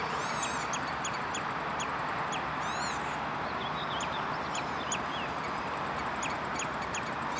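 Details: Redshank at De Wollebrand water storage, Naaldwijk, Westland, Netherlands, 11 June 2013: clear harmonic piping notes, an opening series and a louder fast descending run near the middle, with scattered single piping calls over constant hissing background noise.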